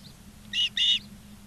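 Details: Osprey at a Charlo, Montana nest on 19 August 2023, afternoon; two loud, harsh whistled notes in quick succession, each a fraction of a second long, over faint low hum.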